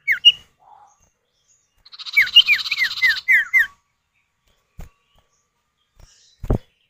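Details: Common iora male and female answering each other, used as a lure to prompt other birds to call: a run of six clear downslurred whistles over a buzzy, rasping trill, bracketed by isolated single whistles and a brief click.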